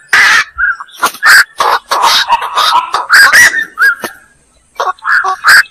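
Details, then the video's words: Black-crowned night heron giving harsh, croaking barks in quick irregular bursts, some overlapping, with short pauses between volleys and a brief silence near the end. "suara burung koak"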